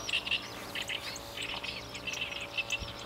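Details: At the Kabukuri-numa Ramsar wetland rice fields where it breeds in summer, a chestnut-eared bunting delivers rapid twittering phrases of clipped, scratchy notes, broken by short pauses, over soft background noise.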